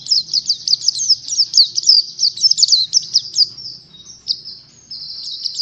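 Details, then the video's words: Oriental white-eye singing in ngalas style as teaching material for other birds: quick strings of sharp, high, down-slurred notes, then a softer, sustained thin warble near the end. "PEMANCING PLECI BAHAN UNTUK BELAJAR NGALAS"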